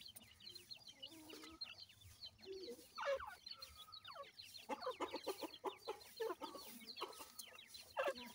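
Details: A brood of grey francolin chicks with their parents, called dakhni teetar: faint but continuous high twittering peeps, short downward slurs repeated rapidly, with occasional louder clusters of notes over a quiet low hum.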